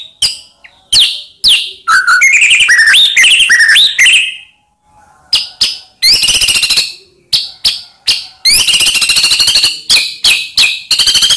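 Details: White-rumped shama song used as a lure to provoke silent shamas into singing: loud, varied whistled phrases with sharp chip notes, rapid trilled rattles and slurred rising notes, broken by short pauses.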